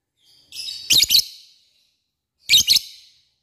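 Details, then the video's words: Lovebird used as a lure to call out rivals, giving a ngekek call: two bursts of shrill, harsh chattering notes with sharp clicks, about one and a half seconds apart. "Pancingan lovebird mudah di respon lawan memanggil lawan ngeekek"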